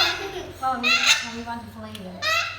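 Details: Pet African grey parrot that wants to fly, producing speech-like, human-sounding syllables in short phrases with rising and falling tone, separated by brief pauses, with some background noise.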